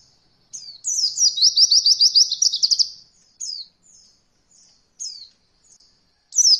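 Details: Oriental white-eye singing a beginner 'roll voll' training song: a rapid high trill of repeated rising-falling notes lasting about two seconds, followed by scattered single sharp descending chirps and a fresh burst at the end; clean, quiet background.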